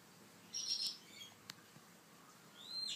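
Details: A fluffy, calm baby grey parrot gives a short burst of high, squeaky chirps, then a sharp click, and ends with a brief, thin, bending whistle.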